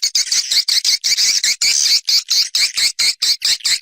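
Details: Swiftlet external sound: a regular run of short, high, buzzy chirp bursts, about fifteen in under four seconds, each separated by a brief silence.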